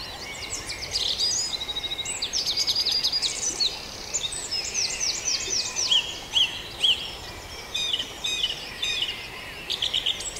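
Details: Dawn chorus at Farndale with several birds singing at once: overlapping high warbles, quick descending whistles and trills, and dense chirping throughout, set against a constant faint hiss.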